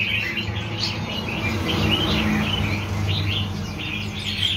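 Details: Wild-caught red-whiskered bulbuls give bright, quick chirps and short warbled phrases, several birds overlapping at about four notes a second, over a low rumble and faint voices.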